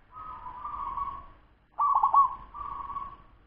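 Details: Fast song of a local wild zebra dove aged 10 months: a level purring coo, then a louder rapid rolling trill that settles into a steady soft hum, three phrases in quick succession.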